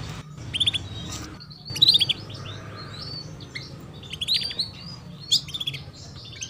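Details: Chirping female canary used to coax young birds into singing quickly; clusters of sharp high chirps and brief trills recur every second or so, separated by short whistled notes, with a faint low background hum.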